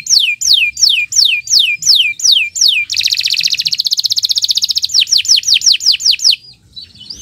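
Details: Canary (kenari) delivering extended gacor morning song meant for tutoring other birds: a row of falling whistled sweeps, then a dense two-second buzzing rattle, then more sweeps before fading out.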